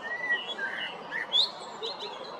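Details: A male common blackbird in Zagreb, Croatia, spring 2022: a low flute-like whistle, a warbled note, then a sharp high upward squeak, over faint bird chatter.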